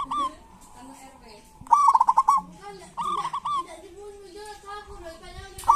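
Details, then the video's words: Zebra dove of local stock singing kerot and bekur phrases, meant to stir reluctant doves into song. A short trill opens, followed by two loud pulsed rolling coos and quieter lower warbles. "Pancingan perkutut lokal gacor cocok buat perkutut lokal susah bunyi"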